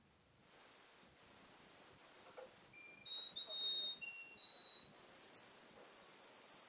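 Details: Young male canary, seven months old, in Garni, Armenia: a quiet run of pure, steady whistled notes held for up to a second each, jumping between high and very high pitches, over soft hiss.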